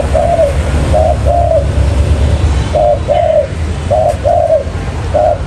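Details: Lure spotted dove for catching wild birds, giving repeated two-part coos, short then drawn-out and falling, in groups separated by brief pauses, with a low droning hum throughout.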